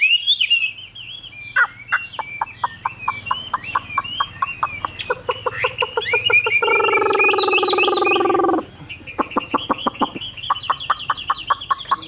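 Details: A caged Chinese hwamei keeps singing as its cage is carried, giving a loud, varied run of clear whistles, rapid chips and rich slurred phrases; it paused to chase a bee.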